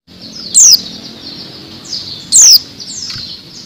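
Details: Female Oriental white-eye giving thin, high, downslurred calls, repeated about every two seconds, used as a lure to stimulate males to sing.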